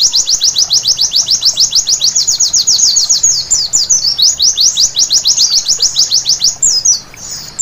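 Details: A white-eye sings at night in a recording used as therapy to get birds singing: a long, fast volley of piercing, high-pitched slurred notes, even and tireless, with slightly varied phrases toward the close and a brief softer dip.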